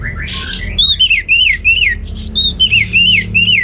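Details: Orange-headed thrush in ngeplong gacor song: after a burst of harsh notes, a rhythmic series of bright arched whistles, each rising then falling, repeated several times per second.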